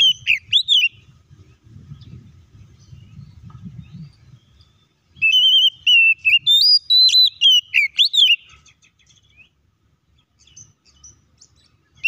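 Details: Oriental magpie-robin song played as a lure to provoke other magpie-robins into singing: a brief burst of high whistled notes, a pause, then a longer run of rapid, varied whistles rising and falling, followed by quiet with faint low rumble.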